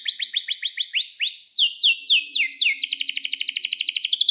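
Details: Canary in full song, in breeding mood with a long roll, used as a lure to get other canaries singing: a series of rising whistled notes, then faster buzzy tours, ending in a rapid even trill of about four notes per second.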